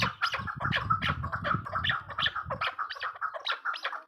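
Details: Female chukar partridge calling: a fast series of harsh, clucking notes, about two per second, overlapping and uneven, with a low rumble underneath for the first two and a half seconds.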